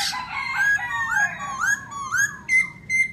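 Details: Black-throated laughingthrush in song and display, giving a chain of rich rising whistled phrases that swoop upward one after another, ending with two short clear level notes.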